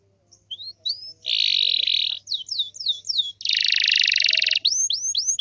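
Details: Canary in full song, meant to make other canaries answer: short rising whistles, then two long dense buzzing trills separated by a series of quick curved whistled notes.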